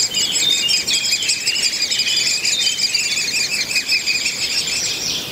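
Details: Great spotted woodpecker (Dendrocopos major) nestlings at Mønsted Kalkgruber, 30 May 2020, being fed in the nest by the breeding pair, beg with a continuous, shrill, high chattering chorus of many overlapping quick notes.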